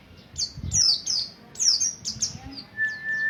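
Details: Mountain white-eye, Buxtoni type, learning the ngalas ngerol style to lure other white-eyes: a short series of high, downward-slurred chirps, followed by a steady lower whistled tone near the end.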